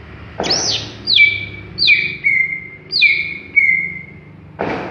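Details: Greater green leafbird still short of full song: a thump, then three or four whistled notes each starting high and sliding down into a long level tone, another thump at the end.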